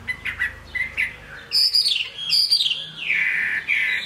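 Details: Chinese hwamei singing in the rain: soft chirps near the start, then loud clear whistled phrases sliding downward, with brief pauses between bursts.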